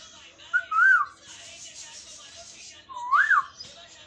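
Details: Talking parrot giving two clear whistled phrases, each a smooth rising then falling sweep, with a quiet pause between them in an indoor room.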